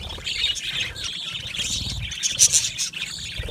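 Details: Budgerigars in an aviary colony chirp and warble together, with a few sharper, louder squeaks rising above the busy chatter over a faint low hum.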